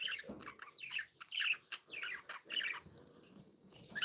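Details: Happy pet budgerigars give short chirpy warbled phrases, about one burst every half second, over a soft low background rumble.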